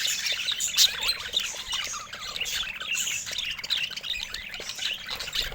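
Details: Budgerigars warbling and chirping together, a few louder piercing squeaks standing out early above steady overlapping twitter.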